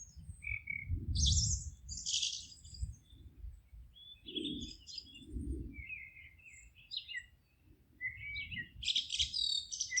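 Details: Forest birds chirping and twittering in high bursts, overlaid by louder low rumbling and thudding background sounds that come and go.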